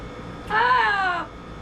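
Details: Double yellow-headed amazon parrot, a pet adopted from a rescue after 36 caged years, giving one drawn-out, nasal, meow-like call that rises and falls over about three-quarters of a second, rich in harmonics, indoors with low background hum.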